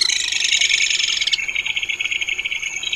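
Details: Crested kingfisher giving a dense, grating rattle that shifts partway into a slower series of harsh pulsed notes with a thin high tone running alongside.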